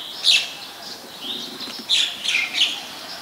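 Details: Short, harsh, buzzy chirps from an ashy woodswallow in Ubon Ratchathani, Thailand, 14 December 2019, given in a loud pair, then a quick burst of three or four notes, over quiet background.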